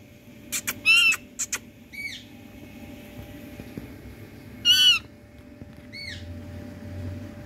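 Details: Calling Indian parrot from India: harsh, buzzy, strongly harmonic squawks in short bursts, two longer screeches near one and five seconds, over a quiet low background hum.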